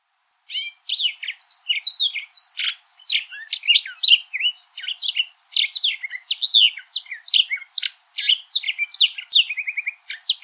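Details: Yellow canary (Crithagra flaviventris) singing a rapid, continuous song of varied high chirps, trills and slurred whistles with a brief buzzy rattle near the end, no other sounds.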